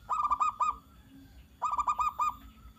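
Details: Zebra dove singing in the sharp "nembak tajam" style, used to provoke other doves into answering: two quick bursts of about six clipped, rounded cooing notes, the second burst following after a short pause.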